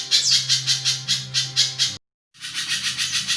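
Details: Pijantung spiderhunter giving coarse pulsed song, favoured as tutor material for songbirds; grating beats of about three per second, cut off abruptly by a brief silence before continuing.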